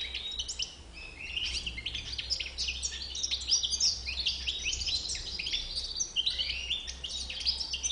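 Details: Rapid, sparkling twittering from a white-bibbed European goldfinch, high chirps and trills strung together without a break, with light background hiss.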